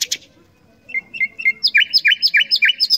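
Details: Common nightingale singing a sharp opening note, a few spaced whistles, then a fast run of evenly repeated chirps that quickens and grows louder.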